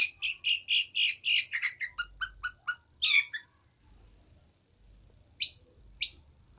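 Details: Long-tailed shrike song opening with a fast run of about six loud, bright repeated notes, then a descending series of softer chirps, a rasping burst, and two faint notes after a pause.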